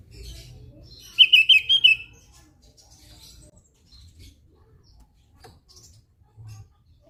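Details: Javan grey-throated white-eye (opior Jawa) singing actively: a quick burst of five or six high, clipped notes in rapid succession, followed by quiet background with scattered soft ticks and low hum.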